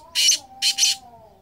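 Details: Black francolin (kala teetar) in 2023 gives harsh, grating, high-pitched notes in two quick double bursts over a faint steady tonal hum; the call is being checked to compare two young birds.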